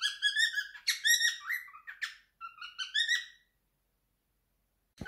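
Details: Male pet cockatiel, three years old, singing his favourite song: a few seconds of warbled, harmonic whistles and chirps, then quiet, ending with a faint click.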